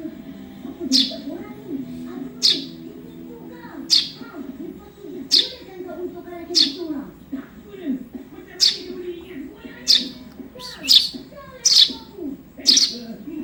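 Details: Eurasian tree sparrow youngster repeating sharp high chirps, first spaced about every one and a half seconds, then quicker near the end, over low murmuring sounds; recorded to train songbirds.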